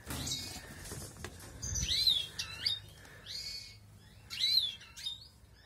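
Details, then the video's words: A European goldfinch (Balkan Carduelis carduelis) in an outdoor breeding setup as the 2020 breeding season begins gives bright, twittering phrases. The phrases hold rapid liquid trills and high tinkling notes in bursts about every two seconds, with a low background rumble. "καρδερίνας βαλκανικής carduelis carduelis"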